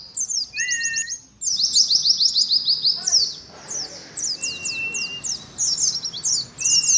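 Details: Caged colony Oriental white-eye giving ngalas song: bright, rapid downslurred chirps in quick series, separated by short silences, with a few plain, lower whistles added.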